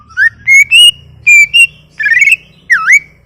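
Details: Greater green leafbird singing gacor for masteran training: rising whistles, a long steady whistle, a buzzy warbled note and a final swooping V-shaped whistle, clear and loud with pauses between phrases.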